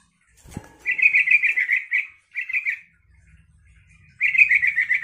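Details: Yellow-vented bulbul song aimed at getting other bulbuls to respond: a sharp click, then three lively phrases of rapid, bubbly, pulsing notes separated by short pauses, the last starting after about a second of near silence.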